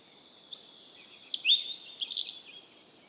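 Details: Robin singing a varied phrase of high, clear whistled notes with sweeping slurs and brief trills, sounding in bursts over about two seconds against a faint background hiss.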